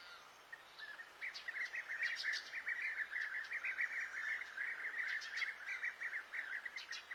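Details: Unidentified bird singing outdoors: a fast, continuous chattering warble of short notes with occasional higher, thin, sharp notes layered above, steady throughout against faint background noise.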